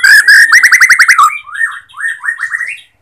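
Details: Bornean white-rumped shama song meant to push silent or unmotivated shamas to sing. Loud repeated whistles and a fast string of upslurred notes, then softer looping whistled phrases fading out.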